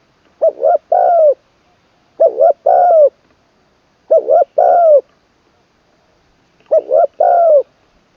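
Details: Caged spotted dove in decoy training, third session, singing full-voiced middle-pitch crows ending in kuk. Four clean phrases of a quick broken double coo plus a drawn-out downslurred coo, roughly every two and a half seconds.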